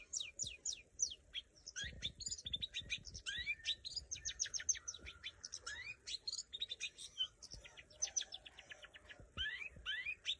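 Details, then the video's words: Cendet, the long-tailed shrike, in training: a busy, continuous medley of quick sweeping whistles, chattering notes and harsh phrases, with scattered soft knocks and light background noise. "Saatnya melatih burung cendet"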